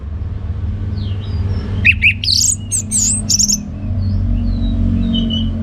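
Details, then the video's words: Orange-headed thrush singing in the ngeplong gacor style. A short burst of loud, varied whistled notes and slurred phrases comes after a quiet start, with faint scattered chirps before and after over a steady low rumble. "Anis Merah Ngeplong Gacor"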